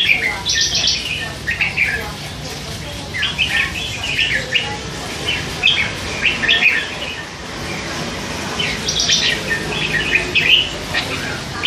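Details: Hand-fed young red-whiskered bulbul, three months old, kept caged and chattering all day, slipping in song phrases: bright, quick whistled warbles in clustered bursts, pausing between groups.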